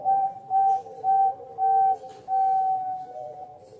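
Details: Bangkok-type zebra dove singing a competition-standard coo with a clear rhythmic beat and opening: five clear, flute-like held notes about half a second apart, with softer lower tones running beneath them.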